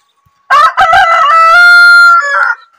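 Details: A desi (local) rooster gives one full crow: a few choppy opening notes, then a long, strained, level note, ending with a short drop.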